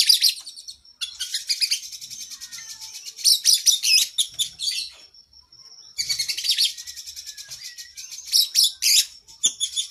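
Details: Oriental magpie-robin training song for cage birds: loud bursts of rapid high rattling trills between softer twittering, a held thin whistle near the middle, a short lull, then renewed dense chatter.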